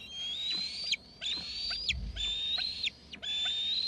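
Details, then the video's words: Eaglets perched off the nest in Gregg's tree give high, drawn-out whistled screeps that fall steeply at the end, four calls in quick succession. "7:56 the other eaglet off Constables to Gregg's both screeping"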